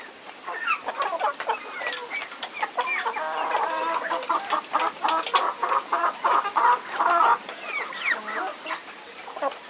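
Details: Farm chicken clucking: a stream of short, throaty, harmonic clucks at a lively but irregular pace, building into a dense, louder run of rapid clucks midway before easing off.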